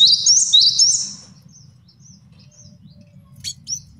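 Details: Brief run of high, repeated whistled phrases from a male cinereous tit, used as a training and luring master song, fading into soft faint notes and a couple of sharp chips.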